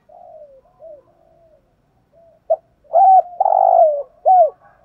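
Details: Spotted dove, a decoy bird calling to provoke rival males. Soft, low cooing notes start the sequence, then grow into louder, slurred coos that fall slightly in pitch, with a few short pauses between the notes.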